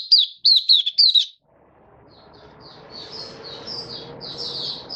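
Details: Malaysian white-eye in Singapore, warm sunny stable weather, 20 March 2023. Four loud, high, twisting notes open, followed by silence and then a faint, distant, high warble over background hiss.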